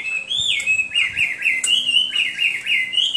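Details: A Hwamei sings a rapid run of repeated whistled notes, each one swooping up then down, about four a second, bright and fluid with a slightly uneven rhythm.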